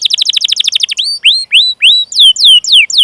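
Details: Canary song used as a training lure: a quick stuttering trill of about fifteen notes, then slower upward-curving whistles and descending slurred chirps.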